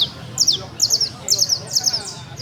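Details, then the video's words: Criollo canary trill: short clusters of bright, high chirped notes recurring about every half second, evenly spaced, steady and clear above a soft low hum. "canario 4 trinandor TrINaDor CAnaRio CriOllO"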